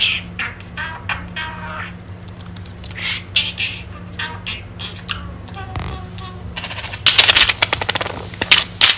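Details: Very talkative pet budgerigar chattering while playing indoors, distracted by the camera. Soft scattered clicks and short warbles give way to a dense burst of rapid, buzzy, high chatter near the end, over a steady low electrical hum.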